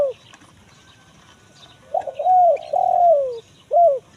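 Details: Spotted dove in 'kuk 1 mersik' style, played to lure forest birds: after near silence, a stuttered opening, two low coos sliding downward, and a short separate arched note at the end.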